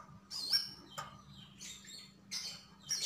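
Javan grey-throated white-eye giving high, thin chattering bursts, four short phrases in three seconds, over a faint low hum.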